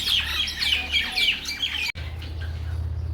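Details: Mynas in a Bangladeshi village chattering: a dense overlapping mix of harsh squawks and short whistled notes for about two seconds. Then an abrupt cut to a low steady hum with no birds.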